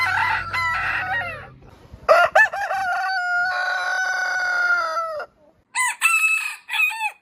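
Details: A rooster in the morning gives a long, level crow of about three seconds with a bright, ringing tone, preceded by rougher overlapping crowing. Two short, clipped crows follow after a pause.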